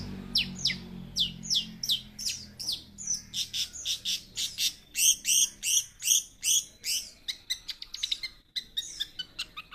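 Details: Long-tailed shrike, a young bird said to have fighting spirit and many fill-ins, singing a steady series of loud, high downslurred notes and doubled chirps, then a fast, thinner stutter.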